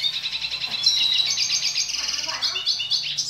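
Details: A dilute-mutation red siskin sings a fast, unbroken run of high twittering and buzzy warbles with quick trills, over a faint low hum.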